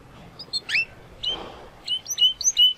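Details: A young Spanish Timbrado canary, still working out its full song, sings a string of short, bright, high notes and quick upslurred chirps, about two each second, with a brief soft rustle between phrases.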